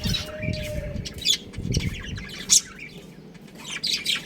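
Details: A colony of pet budgerigars kept at home, chirping together: short bright chirps and squawky notes overlap irregularly, with a few louder sharp peaks, one thin steady tone early on, and a low background hum.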